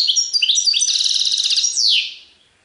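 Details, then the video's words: Serfati Tiwawati goldfinch song: bright, high chattering that builds into a rapid, evenly pulsed buzzy trill, then a downward sweeping phrase before falling silent. "تغريد حسون سرفاتي تيواواطي"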